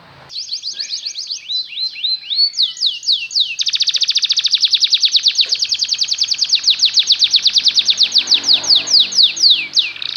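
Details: Belgian canary song played to teach canaries to sing: fast rolling trills of repeated downslurred whistled notes, rising into a long, even, loud tour near the end.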